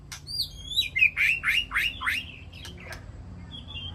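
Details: White-rumped shama in a peaceful aviary, communicating with its flock: rich whistled phrases, then a series of about six rapid downslurred notes repeated roughly every quarter second, ending with faint clicks and a short high whistle.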